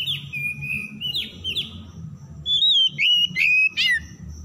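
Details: Oriental magpie-robin (kacer) song, played as a lure to set stressed, silent birds singing again: sweet whistled notes sliding up and down with a brief buzzy break, then louder rapid warbled phrases. A faint steady high tone and low hum run behind.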